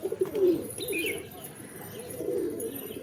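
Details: Low, rolling pigeon coos, a strong burst at the start, then gentler murmuring phrases, with a faint higher chirp in between.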